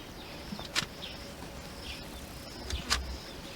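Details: A yellow-billed oxpecker near Satara Rest Camp, Kruger National Park, gives two short, harsh hissing rasps about two seconds apart, over a faint high whine and a low background rumble.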